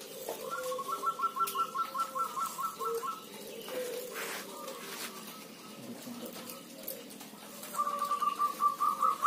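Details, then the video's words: A noisy gathering of zebra doves. Long strings of quick, bead-like cooing notes pulse in a steady rhythm, fade in the middle, then return strongly at the end over softer lower murmurs. "Merbok kampung bunyi ramai"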